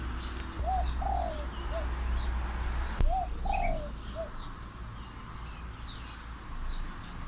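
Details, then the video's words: Spotted dove calling in the wild alongside an Asian koel: soft mellow cooing phrases of three notes, a short coo, a longer falling croo and a brief final note, given twice, over low rumbling background noise and faint distant chirps. "เสียงนกกาเหว่า ปะทะ เสียงนกเขาใหญ่"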